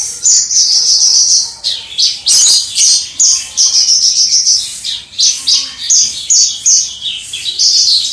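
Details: Kept Javan bush lark in energetic crystal-voice song, recorded from far off: clear, high chirped phrases repeated more than twice a second, mixed with buzzy trills and brief whistled slurs.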